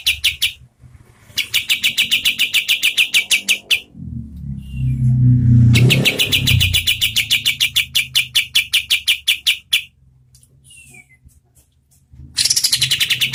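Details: Oriental white-eye song, a medium-speed tutor recording for competition birds: long runs of fast, evenly repeated high buzzy chips, broken by a low rumbling noise and a short quiet pause before the chipping resumes.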